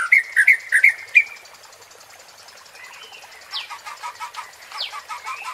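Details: Murai batu, the white-rumped shama, in a 'pancingan' provoking song: a loud opening run of five sharp whistled notes, then quieter, softer chirps and swept notes repeated in a loose series.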